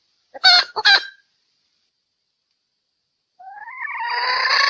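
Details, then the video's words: Female Sumatran red junglefowl lure call: two quick, harsh, clipped notes, a silence, then a rising, strained, nasal cry that grows louder toward the end. "SUARA PEMIKAT TERBAIK AYAM HUTAN BETINA SUMATERA"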